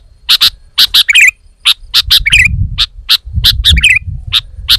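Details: Female sooty-headed bulbul, lure and tutor recording for training cage birds: sharp, clipped high chips, often in quick pairs, broken twice by a brief buzzy rattling trill, over a low rumbling background.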